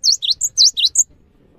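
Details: Cinereous tit with a short burst of loud whistled notes to trigger rivals into singing, swooping V-shaped notes alternating with higher flat pips, six notes in about one second.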